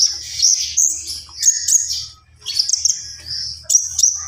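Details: Javan pied starling singing high drawn-out whistles and buzzy strokes in short phrases, over a low pulsing hum.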